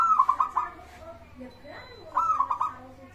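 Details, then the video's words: Zebra dove, a local bird used to draw other birds into song, gives two short rolling trilled coos about two seconds apart over a noisy background hiss and faint murmuring. "pancingan burung perkutut gacor suara disukai bikin cepat bunyi langsung nyaut manggung gacor"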